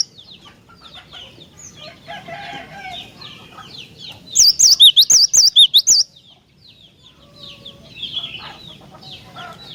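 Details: Cinereous tit singing vigorously, a song used to provoke other tits into singing: a loud burst of about eight whistled, wavering two-part notes lasting under two seconds, set among softer background chirps of other small birds.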